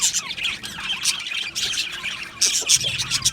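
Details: Aviary flock of Australian budgies: rapid high chattering with short rising twitters and scratchy squawks, several birds calling over one another without pause.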